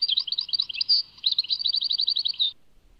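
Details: European goldfinch singing, tied to Tadmait, Algeria: a varied jumble of tinkling twitters, then a brief break and a fast run of repeated downward-sweeping notes ending in a bright slur.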